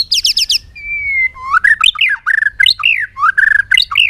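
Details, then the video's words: Bird singing a lively run of loud whistled notes: a quick series of falling chirps, a long level whistle, then rising and falling warbled phrases that vary in pitch, with no other sounds. "suab noog quaj zoo heev"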